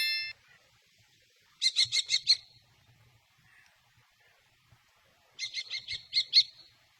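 A common kestrel gives two bursts of five or six sharp, high kee-kee-kee notes in quick succession, a few seconds apart, with a quiet background.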